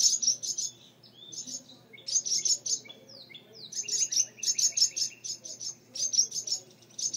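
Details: Birds nesting in a mud nest on a front porch light, two chicks inside, scolding when the front door opens: rapid bursts of high, sharp chirps in clustered runs, with short descending notes between, lasting several seconds.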